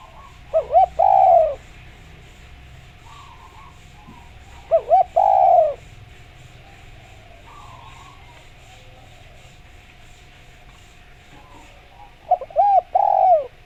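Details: Spotted dove song used as a lure to make other doves answer: three low cooing phrases about four seconds apart. Each has short arched coos and a longer drawn-out note, with quiet gaps and a faint steady tone between them.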